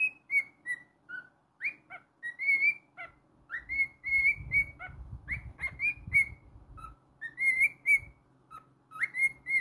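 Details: A pet cockatiel sings in an irregular run of short clear whistles, some sweeping up sharply, some held flat. Soft low rustling comes under the middle part.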